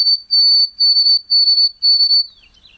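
White-throated Sparrow song: a pure, high whistle held on one pitch, broken into about five drawn-out notes roughly every half second, ending in a short falling slur.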